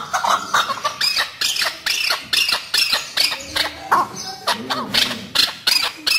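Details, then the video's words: Home-reared chukar partridge (chakor) calling with a voice said to attract the opposite sex: a loud, rapid run of harsh, arching notes, roughly two to three per second, sustained through the whole stretch with a lower murmur underneath. "Beautiful and Attractive Voice of Home Reared Chakor"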